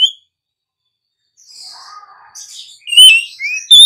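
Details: Captive female Oriental magpie-robin singing to stimulate other birds: an opening sharp note, soft muffled warbling, then loud clear whistled notes sliding down and up near the end.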